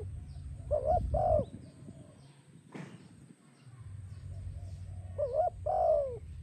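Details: Spotted dove song used to attract doves: a coo phrase, a brief sharp knock in the middle, then another two-part coo phrase ending in a falling note, low hum beneath.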